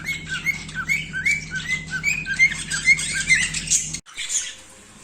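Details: A pet cockatiel whistling, giving a run of quick, bright whistled chirps with harsh squawky edges, cut off abruptly.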